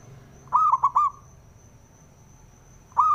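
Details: Male zebra dove coo, used for goading other doves into singing: one quick three-note stuttering phrase, then silence, and the start of the next phrase at the end.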